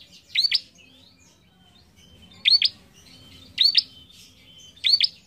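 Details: Bar-winged prinia song used to train young cage birds, four loud double chirps spaced roughly a second or more apart, each a sharp hooked note, with soft high twittering and a faint thin whistle between them.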